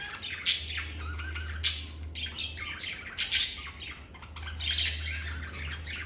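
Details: Pet lovebirds singing and chirping in a calm environment, loud raspy squawks and chirps spaced irregularly, over a steady low electrical hum.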